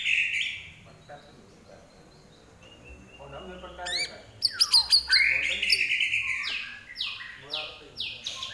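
Common iora in full song: clear whistles give way to sharp chirps and quick down-slurred notes, repeated about three times a second.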